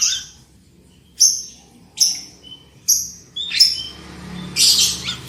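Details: Black-winged myna song for luring birds into loud singing: a string of short sharp descending whistled notes about once a second, ending in louder harsh rasps.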